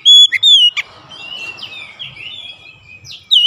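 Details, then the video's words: Oriental magpie-robin lure song meant to set other magpie-robins singing: a few loud, pure whistles at the start, then softer drawn-out slurred notes over background hiss, and a final bright whistle. "APAPUN JENIS KACER PASTI TERPANCING LANGSUNG IKUT GACOR"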